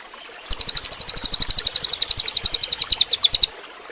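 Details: Cililin bird singing for use as a training recording for other birds: a steady three-second burst of rapid, shrill, ticking notes repeated about eight times a second, high-pitched and evenly paced.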